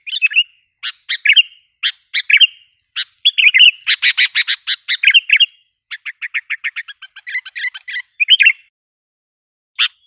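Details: Sooty-headed bulbul lure sound for provoking wild bulbuls: scattered sharp chirps building into a dense rapid chatter, then a fast even series of clipped notes and a few warbles before a lone final chirp.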